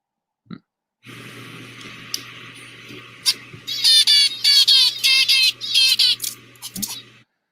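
A male zebra finch sings a quick run of nasal, buzzy notes to court a female.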